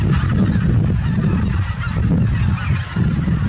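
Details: At Miyajima-numa marsh, Japan, in autumn 2020, a big flock of greater white-fronted geese returns in the early morning after leaving the roost, calling without pause: a dense chorus of overlapping, yelping, nasal honks over a steady low rumble.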